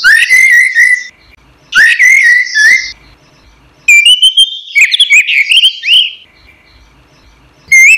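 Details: Orange-headed thrush song used as a training recording for caged songbirds: loud, rich whistled phrases around the mid range, delivered in bursts of about a second separated by short pauses, with varied slurred and warbling notes.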